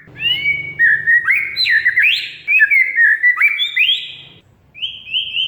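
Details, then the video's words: Oriental magpie-robin (kacer) song, played as a lure to stir a bird that has stopped singing: a continuous run of clear whistled notes, sliding up and down in quick varied phrases, ending with short repeated whistles. "Kacer Mogok Bunyi Tiba-tiba Gacor Isian Mewah"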